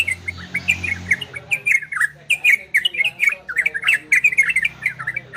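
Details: Ropel and garudo style song of an orange-spotted bulbul: lively bursts of quick, gurgling whistled notes in uneven runs, with a low hum at the start and frequent dry clicks.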